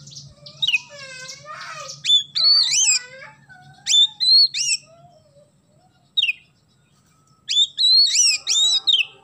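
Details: Oriental magpie-robin in full song in the isian gereja style, a song filled with sparrow phrases. Warbling trills run into loud, high, sliding whistles in bursts, with a quiet pause before a final energetic run of notes.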